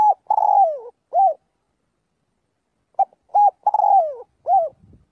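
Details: Spotted dove calling the flock, giving two matching phrases of short coos with a long falling coo in the middle, separated by a two-second pause, with a faint low rustle at the end.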